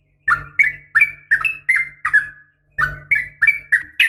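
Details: Morning calling of a female sooty-headed bulbul meant to draw males. Short whistled phrases, each a rising or falling slur, repeat about three per second in two runs split by a brief gap, with a faint low hum beneath.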